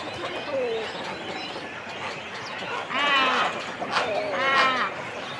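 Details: Cormorant chicks and adults at the nest in a colony, recorded close up: two loud, drawn-out, harsh wailing calls about a second and a half apart, rising above a low, steady colony hubbub.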